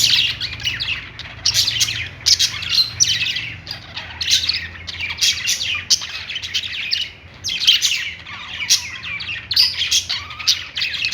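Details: Budgies singing happily, long run of rapid chattering chirps, buzzy trills and squeaky notes from several birds, nearly unbroken.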